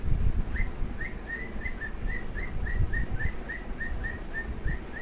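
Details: Pair of cockatiels kept as pets giving a run of brief, evenly pitched whistles, each note rising then dipping, repeated about three times a second against steady low background noise.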